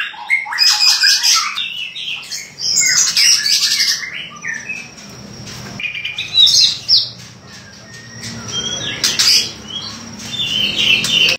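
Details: White-rumped shama delivering an energetic song of harsh, scratchy bursts and rapid high chatter, mixed with short clear whistles, with brief quieter gaps between busy phrases.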